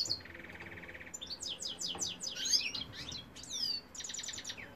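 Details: Male European goldfinch singing, recorded in 2018: a steady buzzy trill opens, then a run of rapid, tinkling, twittering notes sweeping up and down, with a brief pause before a final quick repeated series.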